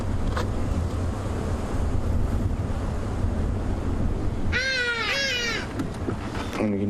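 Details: Hadeda ibises at a waterhole on an evening safari drive on 30 December give their raucous call, two loud, harsh, nasal honks in quick succession, then another, over a steady low rumble of wind and engine with faint voices.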